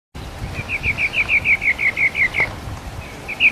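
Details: Sabiá parda thrush in the 'canto mateiro' song style, recorded live: a steady series of about twelve short, clipped notes at even pitch, delivered in quick succession, with a final note after a pause. Low background hum throughout.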